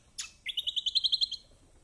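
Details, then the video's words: Kecial kombok used as a tutor song to coax lazy caged birds into singing: one sharp high chirp, then a quick even trill of about eleven bright, buzzy notes at steady pitch, fading out cleanly. "Masteran Kecial kombok/kecial kombo || Pancingan buat kecial kombok malas bunyi auto gacor!!"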